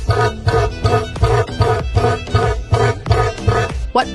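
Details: Rhythmic instrumental music with a steady plucked beat, and no animal sound is heard.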